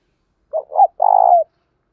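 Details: Spotted dove cooing, played to stimulate captive doves to coo: two short mellow hooting notes followed by a longer, rolling, pulsed coo that dips at the end, in a clean recording.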